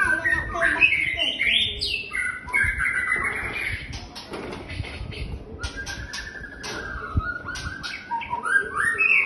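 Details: White-rumped shama singing: varied loud whistled phrases with rising and falling slurs, harsh buzzy notes and sharp clicks, delivered continuously with little pause.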